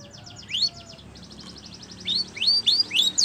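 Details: Spanish Timbrado canary song meant for training other canaries: quick high sweeps rising into bright whistled notes, then a softer buzzy stretch and more upward-slurred whistles.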